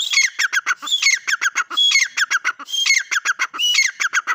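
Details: Loud, raspy partridge phrases: a thin rising whistle-like note leading into quick descending chatter, about four bouts in succession, clear and close.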